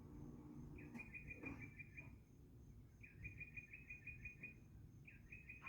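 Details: A bird sings three short bursts of rapid, evenly spaced high chirps, each lasting about a second, over a low rumbling background.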